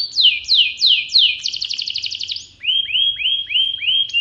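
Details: Kenari pocong, a collection canary singing in full voice: loud downward-sweeping whistles repeated about twice a second, a quick rattling trill, then a series of rising-and-falling arched whistles; faint low background hum.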